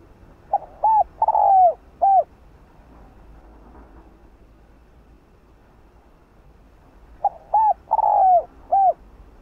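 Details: Cooing song of a spotted dove (cu đất), played to provoke caged doves to sing. Two matching phrases about six seconds apart, each a brief note, an arched coo, a long descending coo and a final arched coo.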